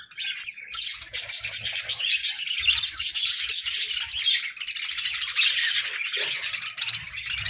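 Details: A flock of pet budgerigars chirping without pause, a thick wash of high scratchy twitters and warbles, with faint low knocking sounds beneath.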